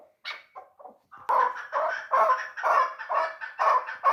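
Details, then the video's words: A hunting chukar partridge, three years old, starts with a few soft scattered notes, then breaks into loud, rhythmic, hoarse chuck calls repeated about twice a second. "Кабки дулан"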